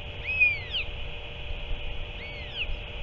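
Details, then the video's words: Northern royal albatross on 7 March 2024 as an adult returns and feeds its chick octopus: two clear whistled calls, each arching up then sliding down, about two seconds apart, over a steady electrical hum. "Northern royal albatross"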